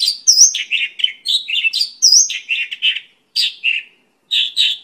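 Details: Pakling, or Mongolian lark, in continuous varied song, a quick stream of warbled and slurred notes mixed with sharp high chirps, briefly pausing twice.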